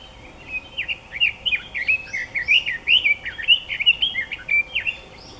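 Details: Red-billed leiothrix in song at Nukata park, Mount Ikoma, Japan, 6 May 2014: a sustained, rollicking phrase of rapid rising and falling whistled notes, loud and clear throughout, about a dozen slurred elements.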